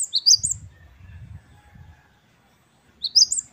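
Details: Great tit (gelatik batu wingko) in wucit-wucit kristal song. Two brief clusters of three or four high, thin rising notes are separated by a gap, with low thumping noises underneath.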